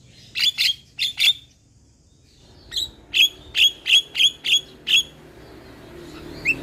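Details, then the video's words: Starling calling on a lure recording for silent birds: sharp, bright chips in quick pairs, a pause, then a regular series of eight similar chips about every third of a second. "Terapi Burung Jalak Macet Bunyi / Jalak Pikatan Bikin Cepat Gacor"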